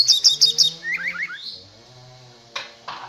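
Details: Oriental magpie-robin, a contest-ready bird, giving a quick series of four high chirps, then a short slurred whistle, then two faint clicks over a low hum.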